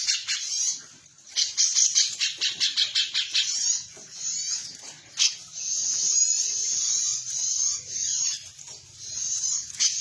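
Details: Female cucak cungkok, a bird kept for training other birds as a master song, giving rapid high trills and chattering bursts, some repeated quickly in stuttering runs, with steady bright buzzing between phrases.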